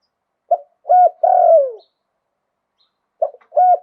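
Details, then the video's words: Spotted dove singing in the wild-voiced luk tan style, a Thai cooing type: one and a half low cooing phrases of a short note, a hollow coo and a long falling croon, with quiet pauses between. "หลิ่วตัน มงคล ขันโยนเพราะๆเสียงป่า"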